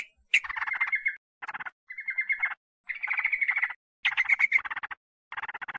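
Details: Wild-bird lure of sooty-headed bulbul meant to provoke wild birds: quieter phrases mixing level, whistled notes with grainy rattling, delivered in separate bursts with silent breaks.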